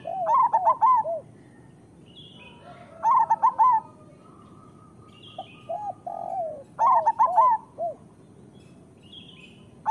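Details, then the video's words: Local Indonesian zebra doves singing: three bright, fast, bouncing coo phrases roughly every three seconds. Softer mellow coos sit between them, with faint higher chirps from another bird. "Perkutut lokal gacor Suara Masteran Burung Perkutut Paling Ampuh"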